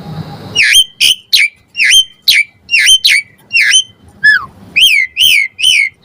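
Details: Singing Asian pied starling in a puffed display, used to trigger lazy starlings to sing: a steady series of loud sharp dipping whistles about twice per second, then a falling slur and three arched ringing notes.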